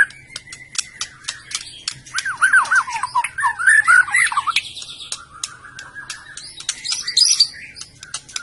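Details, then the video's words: White-rumped shama, murai batu from Medan, singing: varied whistled phrases with rapid warbled notes in the middle, mixed with sharp clicking ticks throughout and a high twitter near the end. "kicau burung murai batu medan"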